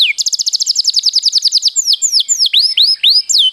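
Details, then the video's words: Canary singing a long rolling song for training: a rapid stuttering trill of bright notes followed by slower, loud swooping whistles rising and falling. "mastersn burung kenari gacorr ngroll panjang"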